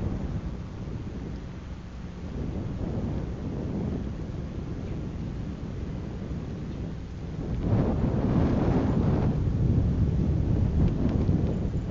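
Heavy rain and wind roar throughout with no animal voice, growing louder from about eight seconds on.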